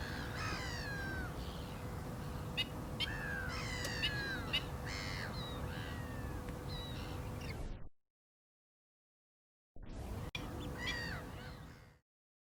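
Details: Black-winged stilts giving repeated nasal, harmonic yelping calls that overlap from several birds for about eight seconds, then a break and a few more calls, over a steady low rumble of wind-like noise.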